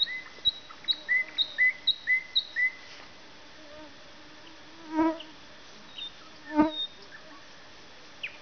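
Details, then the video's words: A nightingale sings a fast run of about six short, clear chirped notes, then after a pause two loud, low, buzzy rattling notes. "Поёт соловей."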